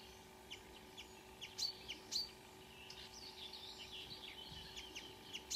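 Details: Early-morning marsh warbler song recorded 2 June 2009 around 5 a.m. near Ski, Norway, at Kråkstad; fairly faint, broken bursts of high chirps and twitters with brief pauses between phrases.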